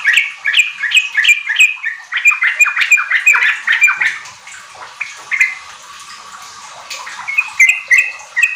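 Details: Sooty-headed bulbul (trucuk) song as a lure for kept birds: quick run of whistled, slightly buzzy phrases for about four seconds, a quieter gap, then a few clear level whistles resume.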